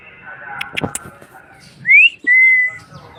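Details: A parrot gives two whistles, first a short upward slur, then a level held tone, over low murmuring room noise and a few clicks.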